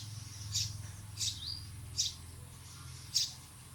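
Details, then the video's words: Chirping bird giving brief high chirps at irregular intervals, one followed by a thin descending whistle, faint against constant hiss and low hum. "Birds Chirping Sound"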